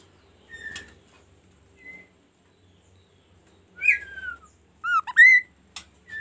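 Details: Kaso kaso bird singing a varied song meant to set other birds singing: scattered short whistles, then a bright falling whistle and a cluster of quick rising and swooping notes near the end.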